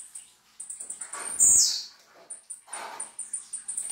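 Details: Young blue-black grassquit giving one loud, buzzy, sharply falling high note over a steady run of faint, rapid high ticks, with some soft background rustle.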